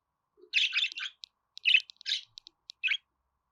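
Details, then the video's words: Budgerigar warble played for pet budgies to respond to: scratchy, buzzy phrases mixed with short clicking ticks, irregularly spaced. "Muhabbet Kuşu Ötme Garantili Kuş Sesi,Muhabbet Kuşu Sesi"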